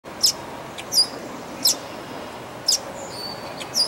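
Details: Red-winged blackbird chicks in a nest at Dufferin Islands: thin, very high squeaky peeps, about six short notes in four seconds at irregular spacing, over a steady low hiss.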